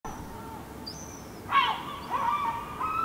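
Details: Herring gull fledgling in a Helsinki park, July 2016, calling and gesturing intensely; a parent calls loudly in the background during the first seconds. Harsh broad squeal, then thin wavering whistles rising and falling over steady hiss.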